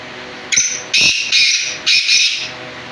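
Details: Harsh rasping call of a black francolin. A short clipped note leads into three longer scratchy, buzzy notes over about two seconds, with a quiet background.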